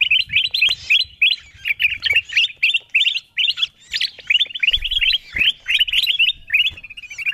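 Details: Wild-bird lure call of the kutilang emas bulbul: quick chirping phrases about three a second, clustered in bursts, with a soft trailing series of notes at the end.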